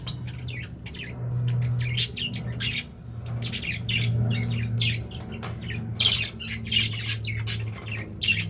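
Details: Pet budgerigars chatter and squawk in rapid scratchy bursts over a continuous low droning hum throughout.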